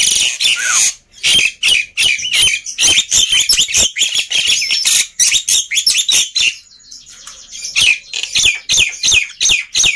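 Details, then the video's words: Black-winged myna singing busily and noisily, played to stir silent birds into song; a dense stream of harsh chatter, clicks and squawky notes with occasional swooping whistles, brief pause midway, then rapid choppy phrases resume. "Kicauan Burung Jalak Putih Gacor Ribut || Pancingan Burung Jalak Malas Bunyi"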